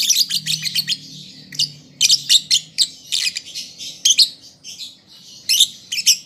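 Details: Lovebird youngster learning to sing: rapid, scratchy high chirps in tight runs, with buzzy trilled passages and occasional louder squeaks, continuous throughout.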